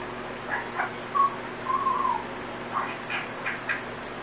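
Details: Companion Timneh African grey whistling bits of learned tunes among random sounds: a short squawk, then a drawn-out clear whistle that wavers and falls, followed by several brief harsher notes, over a constant background hum.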